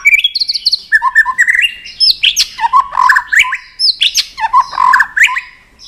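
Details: Tail-flicking white-rumped shama in full fighting song aimed at a rival: loud, varied whistles and rolling note series, some rising, some dropping, repeated in quick succession.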